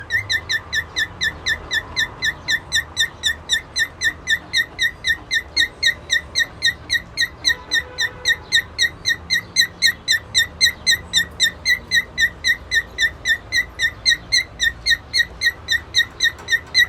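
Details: A white-face cockatiel and a Latino cockatiel meeting give quick, bright chirps, about four each second, in a steady unbroken run.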